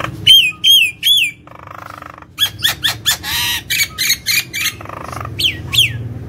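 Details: Nias hill myna in energetic full song, kept at home and used to lure and stimulate other birds: loud bright whistles with rich overtones, a harsh buzzy burst, then rapid repeated squawking notes and more ringing whistles.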